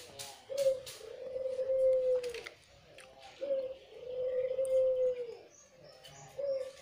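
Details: Repeated cooing from a white red-eyed Barbary dove used as a lure. A short lead-in note is followed by a long, smooth, even coo, the pattern recurring roughly every three seconds. Quiet clicks in the background.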